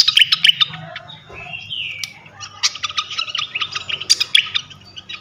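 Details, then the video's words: Flycatcher song used as a lure to set other flycatchers singing hard. A dense, rapid run of high chirps and sharp clicks, with a drawn-out whistled slur in the middle. A low steady hum sits underneath. "Auto Konslet gacor ngeplong sikatan manapun sekali pancing ini."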